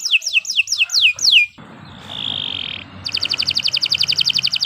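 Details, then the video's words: Canary sings a row of six clear downward-sliding whistles, then a soft sustained buzzy note, then launches into a rapid repeated high trill. "Kicau Burung Kenari 165 II LUAR BIASA GACOR PANJANG Cocok untuk Masteran"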